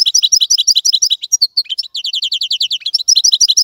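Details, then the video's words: Loud, close European goldfinch song of fast, evenly repeated, high, liquid chirps in long runs, with a brief pause of scattered notes midway. "تغريد طائر الحسون | فيديو رائع لتغريد الحسون"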